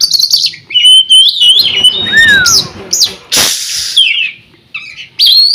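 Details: Oriental magpie-robin (kacer), a contest bird from Riau province, Indonesia, said never to have lost at a provincial audition, sings loud varied whistles, sliding and rising notes and quick chips, broken by a brief harsh noise burst midway.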